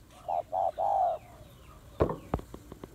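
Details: Female spotted dove in Vietnam calling to rouse males. Three mellow coos rise in length, the last one long and smooth, followed by several sharp clicks and knocks.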